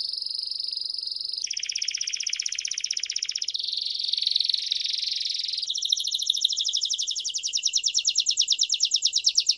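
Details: Rare canary singing used to teach young canaries: a sustained high whistle, a harsh buzzy rattle, another level tone, then rapid repeated pulsed notes building louder, all delivered as one unbroken series of trilled tours.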